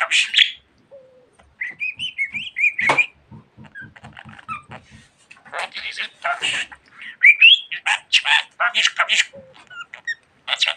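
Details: Talkative pet budgerigar giving warbled whistles and dense scratchy chatter, with a series of soft low ticking pulses in the middle and louder buzzy bursts toward the end.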